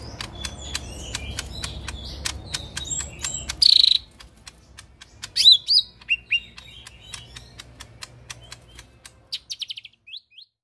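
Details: Lesser green leafbird singing 'tembakan kasar' style: scattered loud whistled bursts, a sharp rising note at six seconds, and a quick fading trill near the end, over busy clicking that thins out midway.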